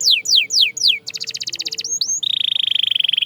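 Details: Canary singing: four loud down-slurred whistles, a rapid pulsed buzzy trill, brief rising notes, then a steady fast rattling roll to the end.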